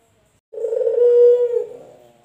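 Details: A male puter dove, from a comparison of local and white males, gives one sustained low coo of about a second, steady in pitch and slightly rough, trailing off softly.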